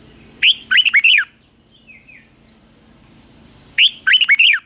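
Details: Red-whiskered bulbul practising its morning fighting song: two loud, rollicking phrases of several looping whistles about three seconds apart, with thin, faint, high sliding notes from another bird in the gap.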